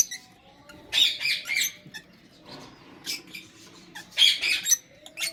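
Lovebirds give harsh, high-pitched chirps and squawks in rapid bursts, with short quiet gaps between clusters.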